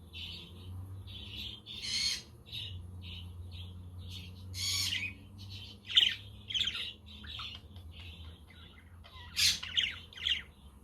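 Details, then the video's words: Caged budgerigars chattering on a windy, sunny day, a quaker and a conure audible in the background; a steady stream of short chirps broken by loud, broadband squawks near the start, middle and end. "Parakeet Friends for your LONELY budgie birds"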